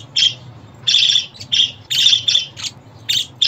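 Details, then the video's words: Budgerigar chatter played for pet budgies, male or female, to make them happy and sing: bright scratchy chirps in quick bursts about every half second, some clustered in pairs, over a faint low hum. "Muhabbet kuşu ötüşü, muhabbet kuşu çağırma sesleri!"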